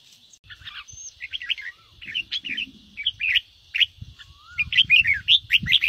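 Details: Red-whiskered bulbul, a cage bird, singing the excited 'ché' song used to fire up others; short warbled bursts roughly every second, growing louder toward the end, over low rumbling background noise and a few soft slurred whistles.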